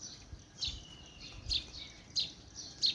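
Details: Birds chirping: short bright high chirps repeated roughly every half to one second, some sliding slightly downward, over a quiet steady hiss with faint low rumbles.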